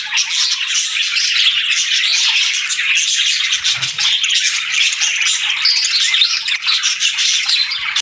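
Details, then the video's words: Pet parakeets and lovebirds greeting the morning: a dense, unbroken chorus of high, bright chirps and twitters from several birds, overlapping for the whole stretch with no pauses. "Parakeet Morning Routine 🌞🦜 | Lovebirds Sounds for Lonely Birds"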